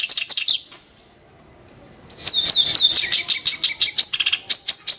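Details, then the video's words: Kerak basi, or clamorous reed warbler, delivering a sharp, harsh song: a short burst of scratchy notes, a second of quiet, then a long run of rapid chattering, rasping phrases. "burung KERAK BASI tembakan tajam & kasar"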